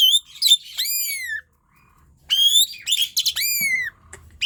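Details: Asian pied starling singing hard in gacor style, a lure for reluctant singers: bright overtone-laden whistles sliding downward, a quiet gap, then a second phrase mixing chatter and a long falling whistle.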